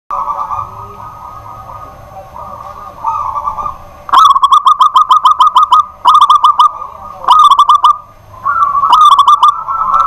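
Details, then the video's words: Local caged zebra dove singing at night in a busy house, taken as a sign of a bold, fighting temperament: a steady low purring coo, then bursts of rapid staccato coo notes repeated in quick clusters. "BURUNG PERKUTUT LOKAL GACOR DI MALAM HARI"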